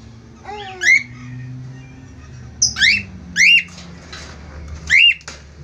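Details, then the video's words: A budgerigar pair gives scattered harsh, rising squeaks and one softer falling whistle, with gaps of a second or more between the bursts and a low steady hum in the background. "sepasang burung parkit australi gacor"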